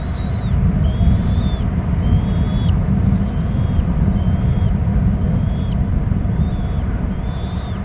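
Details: Bald eaglets at a nest on Hornby Island squee as an adult lands on the back rim with empty feet: thin, high wavering squeals in a series about every second, over a steady low rumble of wind.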